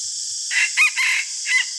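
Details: Morning crow of a red junglefowl used as a decoy: one brief crow in four linked parts, a rising start, an accented high note, a held middle and a falling end, with constant high-pitched hiss behind.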